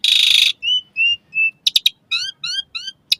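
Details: Asian pied starling singing, used as a dawn and evening prompt for pet starlings: a loud rasping burst, three flat clear whistles, sharp clicks, then three repeated buzzy notes with rich overtones.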